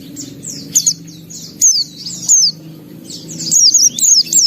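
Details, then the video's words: Caged pleci (white-eye) singing in gacor style with isian (filled-in phrases): a few short, high, downslurred chirps and twittering bursts separated by pauses, over a faint low hum. "Suara Burung Pleci Gacor Buka Paruh Bongkar Isian"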